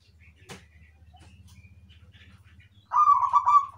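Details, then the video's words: Zebra dove (perkutut) gives one loud, vibrating coo phrase near the end after a quiet stretch with a low steady hum and a sharp click. "PERKUTUT IRAMA - GACOR"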